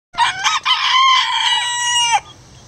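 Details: A bantam rooster at a backyard chicken sanctuary gives a single strong crow of about two seconds: a harsh opening burst, then a long, ringing held note that drops away at the end.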